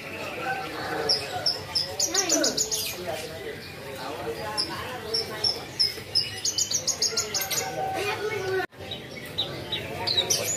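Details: Energetic Javan bush lark song for teaching other songbirds: rapid strings of sharp high notes and trilled bursts, varied phrasing with a brief break near the end, low rumbling background noise throughout.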